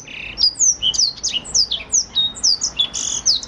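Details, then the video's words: Blackthroat song used as a lure and master for training canaries: a fast run of high, sharp whistled notes and downslurred chips, with brief buzzy trills between them, about four notes per second. "BLACKSTROOT untuk pancingan atau masteran burung kenari"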